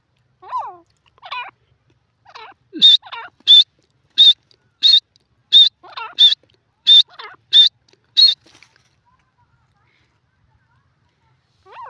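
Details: Grey francolin (teetar) calling: lower, sweeping notes at first, then a run of sharp, high, evenly spaced notes, some alternating with the lower notes, before the calling stops and silence follows.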